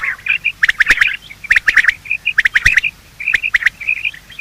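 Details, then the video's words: Quail of both sexes giving morning calls used by hunters as a lure: clusters of harsh, rapid chirps roughly every second, with softer single notes in the gaps and loud clicks. "Quail calling sound: master the Art of Quail tripping | Bater Awaz Subha"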